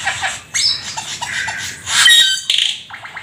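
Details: Black-winged starling, a rare exotic bird in full, lively song, giving harsh squawky notes, short chattering bursts and a bright high whistle, with brief pauses between phrases.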